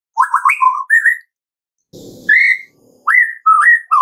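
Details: White-rumped shama song played to coax caged shamas into singing: clear, mellow whistled notes, some rising, some falling, in short separated phrases, with a brief rasping noise between them.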